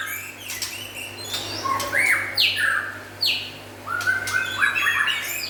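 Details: White-rumped shama, local and forest birds, delivering loud falling whistles and rapid varied chatter, several notes a second, with a low hum in the background.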